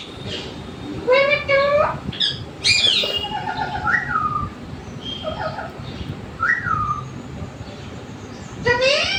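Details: Pet parrot at home producing clear whistled phrases: stepped rising notes, short flat tones and a few down-slurred whistles with pauses between, over a quiet low hum.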